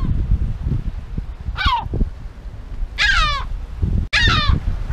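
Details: Defensive yellow-legged gull at its breeding colony, Illas Estelas in Nigrán, Galicia, giving three strident, downward-sliding squealing calls, the later two longer and louder, amid gusty wind noise.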